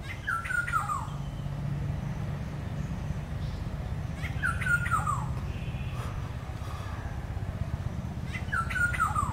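A black-hooded oriole gives a short, liquid, downward-sliding phrase about every four seconds over a steady low rumble.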